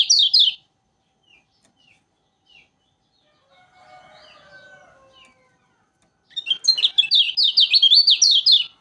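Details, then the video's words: Kecial kuning from Lombok: a brief loud twitter, then sparse soft high chips and a faint low murmuring noise, ending in a long vigorous run of fast, sharply falling high notes. "Burung Kecial Kuning Lombok Rajin Bunyi"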